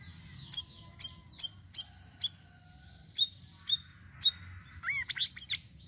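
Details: Chattering Sirisiri, used to lure birds: a series of sharp, high chips at irregular intervals, some doubled, ending in a short burst of twisting warbled notes.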